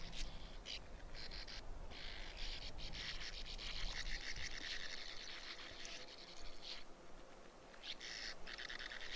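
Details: Sand martins giving dry, scratchy buzzing twitters in long overlapping bursts with brief gaps, over low background rumble.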